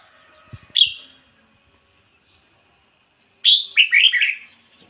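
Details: Decoy red-whiskered bulbul sings ngoi bổi style: a short sharp whistle, a pause of over two seconds, then a full phrase of high whistle and tumbling, bubbly notes.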